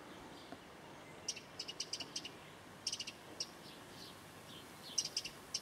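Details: Common starlings (Sturnus vulgaris), thousands arriving from Spain on migration in Berry, March 2012; sparse sharp high clicks and short chirps in small bursts, separated by quiet gaps over a faint steady hiss.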